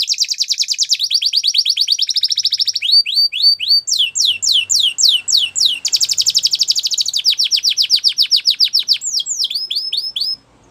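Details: Belgian canary singing a training song for canaries: loud, rapid trills of repeated high notes, switching between buzzy rolls and downward-sweeping whistled syllables, steady and unbroken for about ten seconds.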